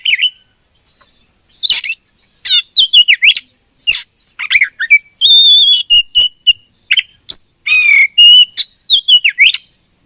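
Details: Kacer (oriental magpie-robin) fighting, giving a fast medley of sharp chips, scratchy bursts and clear whistled slurs, the phrases tumbling one after another in an irregular rhythm.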